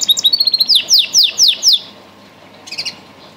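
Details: Song canary singing: a brief rapid twitter, then a run of about six loud descending whistled notes roughly every quarter second, followed by a short faint chirp burst.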